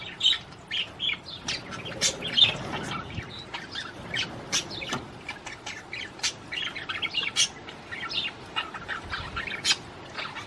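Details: Budgerigar warbling to stimulate a female to mate: scattered short chirps, clicks and squeaky notes at an uneven pace, fairly faint, with gaps between bursts.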